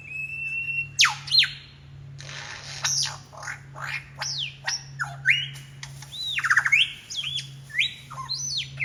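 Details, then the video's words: Wild lyrebird belting out imitations of other birds on a walk in the Royal National Park, Sydney: a level whistle, then loud cracking notes and a fast varied medley of looping, rising and falling whistles. "Mimicking sounds of the Lyrebird"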